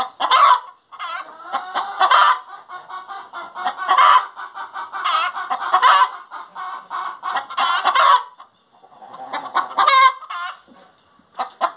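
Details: Hen singing, a steady run of clucking, cackling notes with harmonic-rich calls, several loud drawn-out cackles spaced a few seconds apart, brief pauses between bursts.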